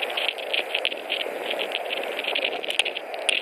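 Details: White-tailed eagles on a nest in Latvia, 21 March 2018, both birds bringing hay ahead of a brief mating; rapid clipped notes in short bursts, a few louder clicks near the end, over hiss.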